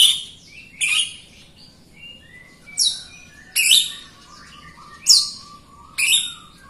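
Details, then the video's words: Jalak Rio myna in song used to coax other birds into singing: sharp high squawks and rasping bursts about every second, between them thin descending whistles and a soft steady low tone. "JALAK RIO GACOR untuk pancingan RIO RIO BAHAN OMBYOKAN & MALAS BUNYI"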